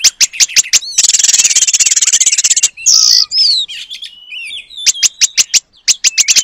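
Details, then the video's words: Oriental magpie-robin (kacer) singing energetically, imitating the Asian paradise flycatcher as training material. Rapid series of sharp high clicks, then a dense buzzy rattle, a few whistled slurs, and more quick ticking notes. "Kacer Gacor Materi Burung Surga Ekor Panjang"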